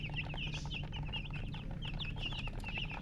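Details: Chicken chicks calling in rapid, high, sliding chirps, several birds overlapping, with a low steady hum in the background.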